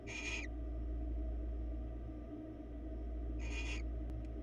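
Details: Barn owls on a Florida webcam give two brief rasping hisses about three seconds apart, followed by faint clicks, with a constant low hum throughout.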